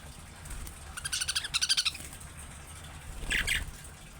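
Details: Male budgerigar chattering, said to prompt other budgies to respond: a fast string of buzzy harmonic chirps rising in loudness, then after a pause a single sharper chirp.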